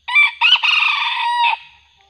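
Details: Crow of a junglefowl lured by a decoy, the wild bird said to be increasingly aggressive. Two short harsh opening bursts, then a long sustained rasping note that fades out, over a quiet background.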